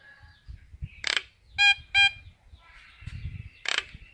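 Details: Common myna calling its flock: two loud, nasal, ringing notes in quick succession, framed by harsh rasping squawks before and after, over a low background rumble.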